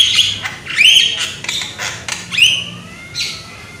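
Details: Young Javan myna singing loudly: short scattered harsh notes with sweeping whistled slurs and buzzy squawks, a few seconds of sparse, uneven phrases over a quiet background.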